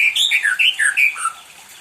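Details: A spoiled pet white-rumped shama sings constantly, seemingly wanting company, with a loud, fast run of bright, warbled notes, each briefly rising and falling, packed closely together before the phrase fades away.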